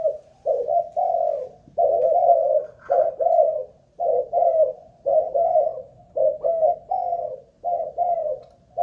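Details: Caged Malaysian-line spotted dove kept as a decoy, tested for cooing stamina: steady runs of low, hollow, mellow coos, short phrases of two or three notes with brief pauses, about one a second, no other sounds.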